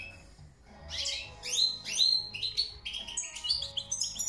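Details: European goldfinch singing: after a quiet start, a run of bright twittering and upslurred whistled notes in quick succession, with brief pauses between phrases and a faint low hum underneath.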